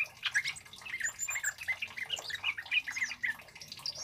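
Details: Orange-headed Thrush (kemade), a male singing loudly in a mimicking style with chili-bird and flowerpecker phrases for luring and training: a dense chattering run of squeaky, slurred, mid-high notes with brief whistles, varying in loudness, with no other clear sounds.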